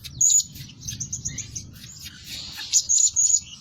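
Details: Lure blue-crowned hanging parrot, active by day and night, giving rapid, very high, thin squeaky chirps in uneven bursts, with shrill piercing notes near the end; low background rumble throughout.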